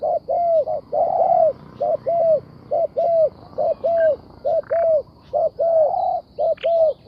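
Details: Spotted dove cooing rhythmically: paired short coos and longer hollow notes with falling ends, repeated roughly once a second, with a few faint chirps from other birds behind.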